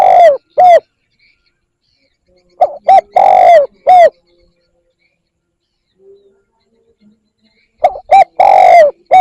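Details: Spotted dove luring call: the tail of one phrase, then two full phrases of two quick coos, a long falling coo and a brief final coo, separated by about four seconds of near silence.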